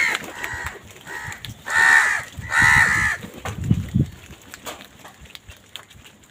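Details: Crows squabbling over food give a couple of short caws followed by two long, loud, grating caws, then low knocking sounds and quieter background.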